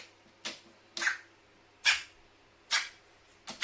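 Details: Captive carrion crow indoors, sneezing over and over after getting water in its nose: five sharp, hissy bursts, each a short broadband puff spaced roughly every 0.7 seconds, with a faint low room hum beneath.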